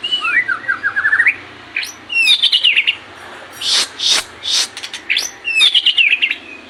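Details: White-rumped shama song for tutoring caged birds. A descending whistled trill opens the clip, followed by quick sweeping phrases interleaved with four loud, harsh, rasping notes. A final burst of high twittering closes it.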